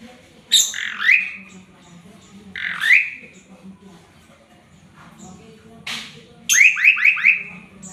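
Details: Male Asian pied starling singing a fill-rich song used for training birds: scratchy squeals that rise then slur down, spaced two seconds apart, closing with a rapid series of four bright ascending notes over a faint low hum.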